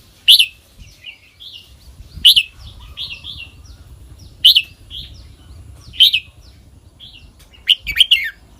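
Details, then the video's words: Red-whiskered bulbul singing in a named song style: bright loud phrases every one to two seconds, each a sharp high note followed by softer warbled notes, with a faint low rumble beneath. "เสียงนกกรงหัวจุก [ควิก-จ่อก-ไขว้-เลี้ยง]"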